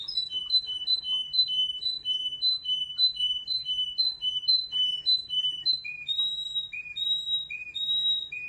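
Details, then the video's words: Waterslager-type canary with a special singing style: an even, bubbling chain of short, high whistled notes repeated about three times a second, which steps down in pitch near the end. "waterslagger type of canary that have special sounds with singing"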